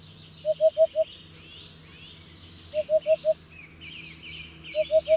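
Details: Hoopoe's mellow, low hoo-hoo-hoo-hoo, three bursts of mostly four notes at steady spacing, with other birds chirping and trilling higher in the background.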